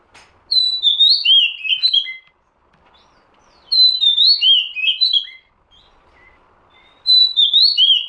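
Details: Repeated lure phrases of an Oriental magpie-robin, three loud whistled strophes of descending, slurred notes, each lasting about one and a half seconds and separated by short quiet gaps with faint soft notes.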